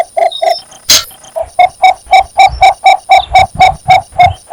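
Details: Mating call of a Cinnamon bittern: after a brief sharp click near the start, a long, regular chain of deep, knocking croaks follows, steady at about four notes per second.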